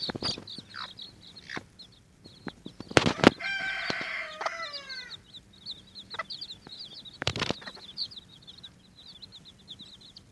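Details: Watermaalse bantam chicks squabbling over an earthworm, giving a steady stream of high, thin peeping cheeps throughout, with a louder burst of harsh, descending, stacked calls around the middle and sharp scuffling clicks from the struggle.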